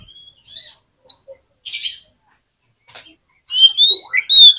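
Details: Oriental magpie-robin, used as a lure to get a reluctant bird to answer, giving short scattered phrases: a thin whistle, buzzy notes, then a quick run of bright rising and falling whistles near the end, separated by silent gaps.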